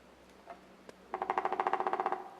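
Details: A Pileated Woodpecker drums in a big dead cedar tree on Salt Spring Island, BC: two single taps, then a hollow, resonant roll of about fifteen even beats lasting roughly a second. Another woodpecker is 300–400 m away.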